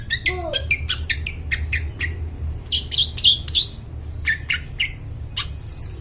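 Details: Long-tailed shrike singing actively with a clear, ringing tone, a recording for luring forest birds; a varied stream of sharp chips, short squawks and a few lower slurred notes, with a faint low hum.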